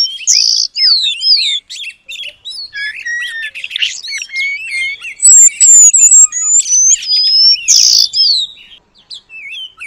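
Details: Oriental magpie-robin singing vigorously, used as training material imitating the long-tailed paradise bird: a rapid varied run of high whistled notes, slurred rising and falling phrases, and short chips, with a bright sustained whistled sequence near the end.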